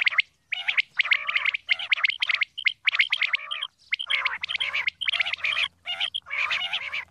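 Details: Female common quail calling, given locally as batair: dense runs of harsh, raspy chattering bursts, each about half a second, packed closely with brief gaps and a faint low hum in the background.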